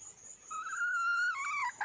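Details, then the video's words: Female red junglefowl calling for a male: a sustained, harmonic-rich tone held level for nearly a second, then breaking into a lower, wavering, falling phrase, with a thin, steady high insect whine running throughout. "le bruit d'une poule sauvage,เสียงไก่ป่าร้องหาถู่หาตัวผู้,ສຽງໄກ່ປ່າຮ້ອງຫາຄູ່ຮັກ, poj qaib qus see"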